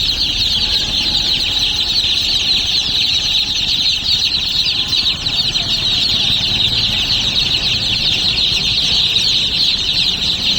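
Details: Baby chicks chirping together: a dense, continuous chorus of many high, thin peeps overlapping without pause, steady in loudness throughout.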